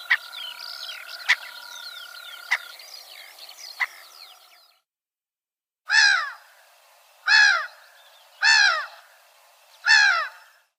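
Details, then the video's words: Gull giving loud, downward-slurred, harmonic yelping notes, four calls spaced roughly every one and a half seconds, after an opening stretch of overlapping chattering birds with sharp clicks that fades into silence. "GULL SOUNDS"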